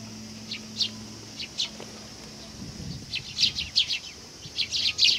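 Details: Sparrows coming to be fed at a Tenmangu shrine, 18 August 2020. Sparse high chirps at first, then denser, rapid overlapping chirping over a low steady hum and faint background noise.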